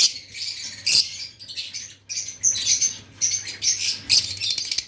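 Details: Lovebirds chirping in a dense, overlapping chatter of very high, shrill squeaks and twitters, rising and falling in loudness with a low steady hum underneath.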